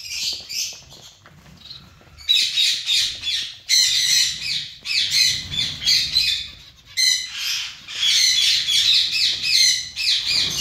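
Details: Busy zebra finch colony: soft calling at first, then rapid repeated nasal calls, many overlapping voices, until the end.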